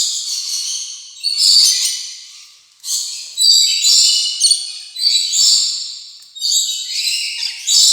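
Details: Rainbow lorikeet chatter: repeated harsh, buzzy screech bursts roughly every one to two seconds, each striking abruptly and fading, over about eight seconds.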